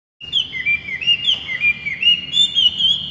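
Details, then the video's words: A captive laughingthrush (poksay hongkong) sings a rapid, continuous run of clear, varied whistles, sliding up and down through quick slurred phrases with no pauses; kept as a tutor recording for young birds. "BURUNG POKSAY GACOR"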